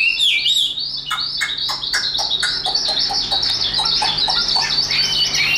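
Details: Tame caged Chinese hwamei, a good fighting bird singing in a high register: a continuous warble of wavering whistled notes over sharp clicking strokes.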